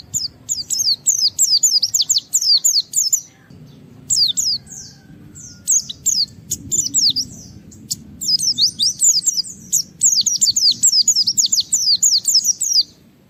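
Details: A white-eye singing energetically as a challenge to rivals, meant to draw other white-eyes into song: long bursts of rapid, high, thin descending twitters, separated by short pauses and scattered chips, with soft low background rumble.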